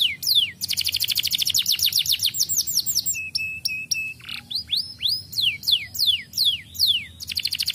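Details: Canary song played to stimulate young birds to sing: fast rattling trills of descending high notes, a few flat whistled tones, then sweeping downward whistles repeated roughly every half second, with a closing rapid trill.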